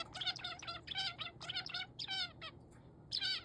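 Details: Male zebra finch that seems to find crow voices scary. Loud, nasal, trumpet-like notes with stacked overtones arrive in quick clusters of three or four, briefly pausing before a final burst.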